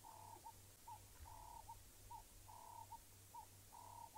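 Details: Red-crested Korhaan at the grass edge at sunrise on 2 Aug 2017, Djuma Game Reserve, whistling a steady run of mid-pitched notes, each a longer note then a short one, about once a second, over a low engine hum.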